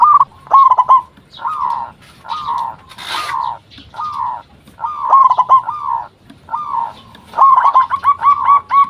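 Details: Lure song of a local zebra dove meant to get other doves replying: near-continuous rolling, warbling coo phrases follow one another closely, each a burst of quick mid-pitched notes, with a brief rustling noise partway through.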